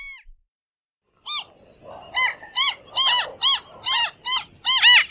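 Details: Bridled tern calling: after a second of silence, harsh, arched, nasal notes repeat roughly every half second, growing louder and crowding together toward the end, with a faint background hiss.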